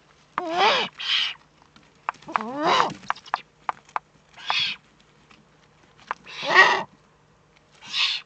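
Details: In the Eifel on 3 May 2014, a Eurasian eagle-owl alternates sharp, rising squealed notes with breathy hiss bursts, interspersed with small clicks and taps, in an otherwise quiet setting.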